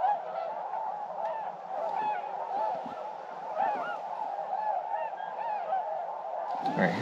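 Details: Wintering tundra swans in a flock coming in to land at sunrise in eastern North Carolina in early December. Many overlapping bugling, honking calls rise and fall together over a steady background hum, ending in a loud rustling burst.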